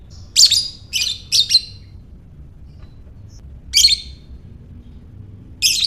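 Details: Lovebird giving the ngekek call, meant to stir other lovebirds to call: a quick series of four shrill, scratchy chatter bursts, then a pause and two further bursts, over faint low hum.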